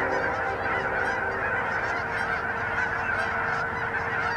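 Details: Thousands of Canada geese gather on a winter pond in Hutchinson, Kansas, on January 25, 2011, a bald eagle sitting in a tree on an island; steady, crowded honking fills the whole stretch over a low continuous hum.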